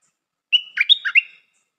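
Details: A newly kept Stripe-throated bulbul decoy opens with a drawn-out whistled note and follows with four quick bubbling notes, the whole phrase under a second, in silence otherwise.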